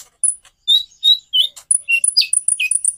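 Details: Konin sunbird song: clear, high whistled notes sliding up and down, followed by a quick run of piercing chips roughly every tenth of a second.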